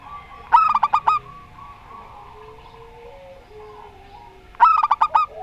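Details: Rondo Semoyo song of a local zebra dove: two short, rapid bursts of bubbling, tightly packed coo notes about four seconds apart, separated by near quiet with faint low background tones.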